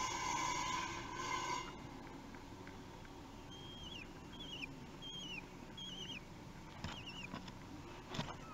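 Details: Common kestrel chicks, three weeks old, at feeding time in the Théding nest, 8 June 2021, on a webcam: a loud buzzy burst, then a run of short downward-bending squeals repeated about twice a second, with some knocks.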